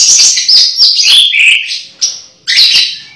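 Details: Orange-headed thrush close to moulting, giving fast high whistled and twittering phrases with falling slurs, broken by two short pauses.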